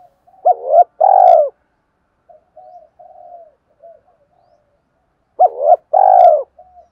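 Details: Decoy-style call of a spotted dove, used to bring wild doves near: two loud two-part coo phrases roughly five seconds apart, separated by quieter, softer coos from a second bird.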